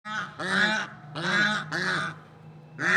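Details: Swans in nature giving nasal, harmonic honks, four calls each lasting under half a second, spaced with short gaps, loud and clear with no other sounds.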